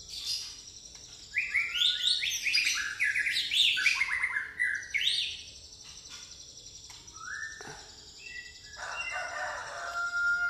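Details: White-rumped shama song in pastol style with fighting-sparrow mimicry: a dense, fast cascade of high chirps and whistles, then scattered shorter whistled notes and a soft crack, over light background hiss.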